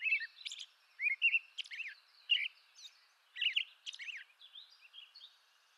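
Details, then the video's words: Softer song of an American robin in eastern North America: short downslurred whistles and high, thin squeaks, phrases about a second apart, fading toward the end over a light background hiss. "American Robin Bird Song"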